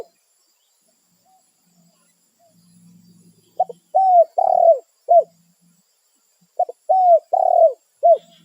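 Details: Spotted dove calling its companions in the wild, a territorial bird; after a quiet start with faint low rumble, two crisp phrases of arched coos follow about three seconds apart, each ending in a short clipped note.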